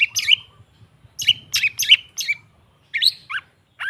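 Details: ['Long-tailed shrike song meant to coax a silent shrike into singing: scattered groups of sharp, high descending notes with pauses between bursts, ending in a short lower slurred phrase.']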